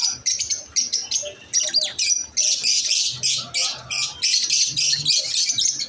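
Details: Harsh, rapid squawking chirps from masked lovebirds come in short pulses several times a second, steady throughout.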